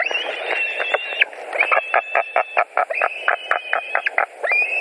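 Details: At a Latvian white-tailed eagle nest, evening of 11 July 2020, when a bird comes back for dinner: long flat whistles broken by quick, rhythmic yelping pulses, repeated across the clip over constant background hum.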